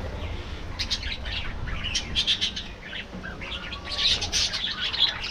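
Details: Caged budgerigars feeding during the afternoon chatter in quick high chirps and buzzy squeaks, loudest toward the end, over a soft background hum.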